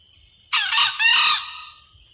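A junglefowl gives one harsh, hoarse crow lasting about a second, broken into two rasping bursts that trail off abruptly. The background is otherwise quiet.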